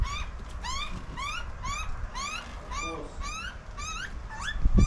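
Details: An Australian butcherbird in suburban summer, coming for food and feeding its young, gives short, rising, slightly nasal notes, repeated about twice a second, over low rumbling wind noise.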